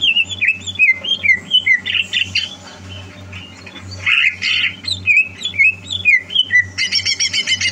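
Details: Greater green leafbird being prepared for a singing contest, dated 30 November 2022, pours out varied looping whistles and harsher squawky phrases, ending in a quick stuttering trill; a low hum runs beneath.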